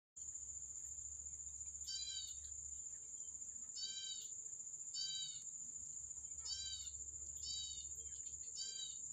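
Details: Yellow-bellied prinia feeding its young in the wild: five bursts of nasal, harmonic-rich notes in short descending stacks, spaced irregularly about a second apart, over a constant piercing high whine and low background rumble.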